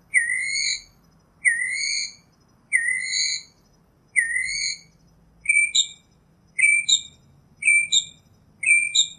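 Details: Northern mockingbird singing: four long, smooth rising whistles spaced over a second apart, then a shift to quicker, clipped two-note phrases repeated four times, all clear against a quiet background.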